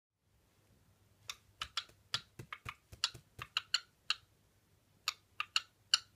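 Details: Sharp, dry clicks tapped out in an uneven rhythm, several per second with short pauses, like fingers on a keyboard in a quiet indoor room; no calls or voices.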